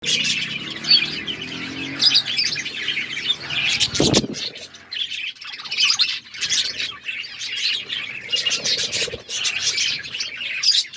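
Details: Several pet budgerigars eating seeds, chirping in a dense, continuous chatter of warbled notes, with a brief loud knock near the fourth second.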